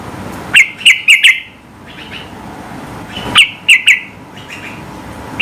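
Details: Sooty-headed bulbul's high, provoking song aimed at rivals; two bursts of three or four crisp ringing chirps each, separated by a quiet stretch with soft echoing notes.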